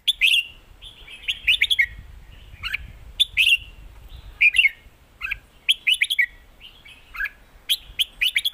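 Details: Caged red-whiskered bulbuls dueling phrase for phrase in a singing contest, southern Thai master-style song; short bright whistled phrases with rising and falling slurs, several per second in bursts, birds answering each other, low rumble underneath.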